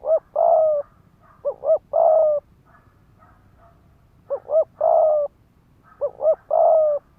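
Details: Ground-decoy spotted dove in rapid urging coo meant to stir wild males to fight. Four loud phrases about every two seconds, each two short clipped hoots followed by a longer, drawn-out falling coo, with soft fainter coos between.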